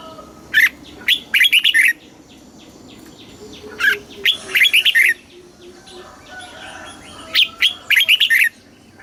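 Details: Red-whiskered bulbul singing the Thai southern master style, played to stimulate caged birds. Three lively phrases of rapid, liquid whistles are spaced about three seconds apart.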